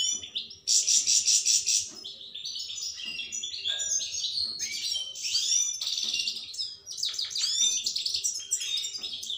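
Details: European goldfinch (Carduelis carduelis), song.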